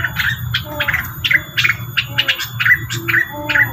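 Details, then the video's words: Lure sound of the rengganis bird: quick, sharp chirps in irregular bursts interleaved with soft, lower whistled notes, with a constant low hum and thin steady tone behind. "suara pancingan burung rengganis"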